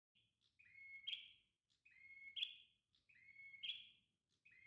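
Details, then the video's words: Red-headed prenjak tailorbird singing three repeated phrases, each a rising whistled note run into a loud buzzy, crackling burst, about one phrase every 1.3 seconds, over a faint low background hum. "Burung Prenjak Kepala Merah – Suara Merdu ngalun"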